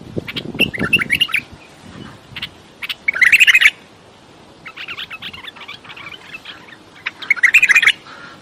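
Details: Bulbul giving repeated bursts of rapid chattering notes, three louder phrases spaced a few seconds apart with softer twittering between, and low rumbling noise at the start.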